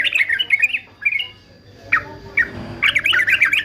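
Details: Fighter male yellow-vented bulbul used for song training: short bursts of liquid, wavering warbles, a pause with a couple of isolated chirps, then another quick bubbling phrase.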